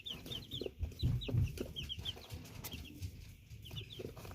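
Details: Chicks in Canada peep in quick high upslurred notes over a steady low rumbling background with some soft thumps.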